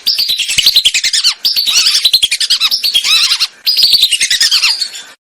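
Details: Hunting lure recording of Lesser whistling ducks: dense, continuous runs of rapid high whistles and chattering notes, several overlapping, broken by two brief pauses.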